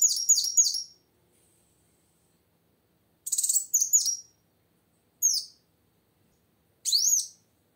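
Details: Plain sunbird female in full, lively voice to coax a quiet male into singing; rapid clusters of high falling chirps, a short buzzy trill, then single arched tweets spaced about two seconds apart.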